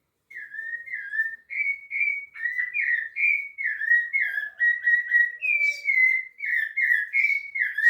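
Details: Rufous-bellied thrush singing at Piedade: a steady run of short, mellow whistled phrases, each slurring up or down, delivered almost without pause in a flowing, fluty sequence, with a faint higher note or two in the background.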